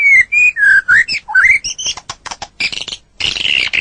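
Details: White-rumped shama singing on a bird-training recording: rich whistled slurs swooping down and up, then a burst of clicking, rattling notes, a brief pause, and a harsh buzzy phrase.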